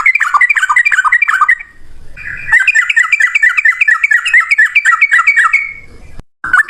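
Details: Long fast trilled phrases from a yellow-vented bulbul said to be male, a fighting-style lure song: bubbling chatter in two long runs separated by a short gap, ending with a click.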